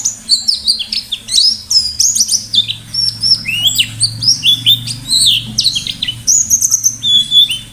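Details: White-eye (pleci) in full 'gacor' song, forest-style 'ngalas' with 'nembak' bursts for luring other birds: a rich, varied, high warbling twitter of slurred and stepped notes pouring continuously, low steady hum behind.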